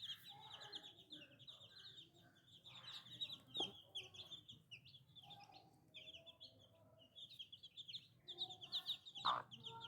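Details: A crowd of baby chicken chicks peeping loudly, dense high chirps coming in quick runs, with some lower drawn-out calls and a few knocks.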